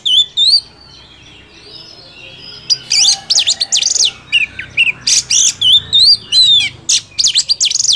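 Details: Oriental magpie-robin in the wild, song meant to rouse a caged bird: a few whistled wavering notes, a pause, then a fast busy run of varied chirps, trills and slurred whistles.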